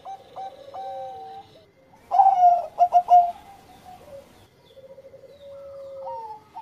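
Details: Zebra dove of the Bangkok type singing in the engkel style, played to stimulate breeding mood: soft mellow coos, with a louder burst of three quick pulsed notes in the middle, then a long, slowly falling tone.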